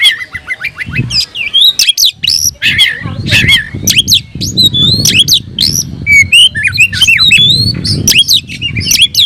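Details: Agitated oriental magpie-robin, tail open and calling a rival to battle: continuous rich song mixing high clear whistles, quick trills and grating squawks, over a low rumbling background.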